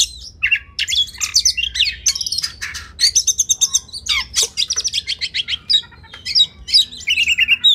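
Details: An Oriental magpie-robin sings a rapid, varied stream of high whistles, trills and harsh chattering notes, with barely a pause between phrases; a tutor recording for contest birds.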